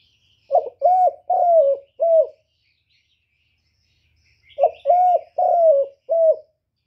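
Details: A spotted dove, a lure bird used for trapping, gives two phrases of four mellow coos, the third drawn out and falling, with a pause between phrases; faint small bird chirps behind.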